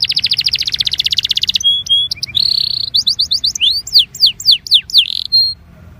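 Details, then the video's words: Belgian canary singing, a recording meant to warm up canaries: a dense, rapid high roll gives way to clipped notes, a buzzy burst, then widely spaced rising and falling whistled slides before fading out. "INCARTE para esquentar canario belga"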